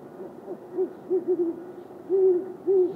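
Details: Male and female great horned owl trading territorial calls: a quick series of short, deep hoots, then two longer, drawn-out hoots near the end, each low and resonant.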